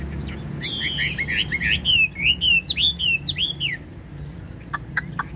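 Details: Singing hwamei, a Chinese songbird kept tame in a cage with a fanned tail. Rich, looping whistled phrases flow quickly for two seconds, followed by a few short clicks.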